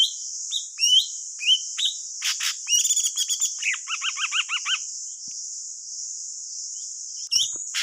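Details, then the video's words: Thanh tước bird song used to lure birds into traps: rising whistles and harsh bursts, then a rapid string of about seven repeated looping notes, followed by quiet hiss and a final chirp. "Chim thanh tước hót gọi bẫy là dính 100% , suab paj tsawb ntsuab quaj dib tuaj zoo"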